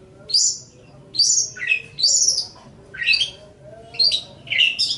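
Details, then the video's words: Pentet (long-tailed shrike) song meant for training songbirds. Harsh, chattering high bursts come roughly once a second, some dropping into lower, rougher notes. "Ocehan Suara Burung Cendet/ Pentet"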